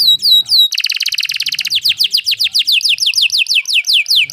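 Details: Canary singing: a few falling whistles, then a very fast dense roll, slowing into evenly repeated downward-sweeping notes about four per second.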